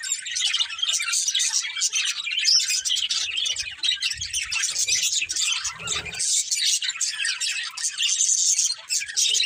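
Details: A budgie family keeps up steady chirping, a dense stream of buzzy warbles and high tweets, with low rustling and bumps around the middle.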